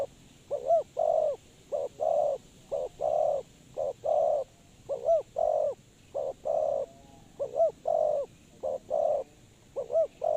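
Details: Spotted dove used as a decoy for bird trapping, calling a long, rhythmic run of paired coos, each pair opened by a hooked, rising-falling note, about eight phrases in ten seconds.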